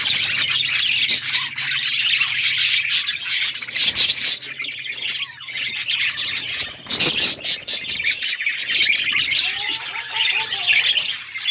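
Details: A crowded outdoor aviary of budgerigars chirps and chatters nonstop, with thin high tweets layered over a scratchy babble. A faint low hum sits underneath, and a few clear, short whistled notes come near the end.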